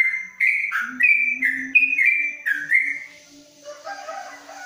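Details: Long 'ropelan' song from a yellow-vented bulbul kept in a covered cage: about three seconds of ringing whistled notes that jump up and down, then the song stops and only faint hiss and a low hum remain.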